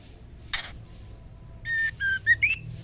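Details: Female white-rumped shama calling to the male: after one sharp click comes a short phrase of four clear whistled notes, the last two climbing.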